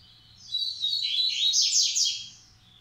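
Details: Double-collared seedeater breeding male in Massai or baiano style delivers one strong, continuous phrase of fast, buzzy trills that swells in the middle and fades away.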